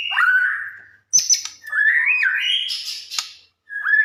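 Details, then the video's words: White-rumped shama in full song, played as a lure to make other shamas answer; rich whistled phrases, a descending slur, then rising and warbling notes with sharp high chips, short pauses between phrases. "Burung murai gacor ampuh buat pancingan murai batu langsung bunyi nyaut"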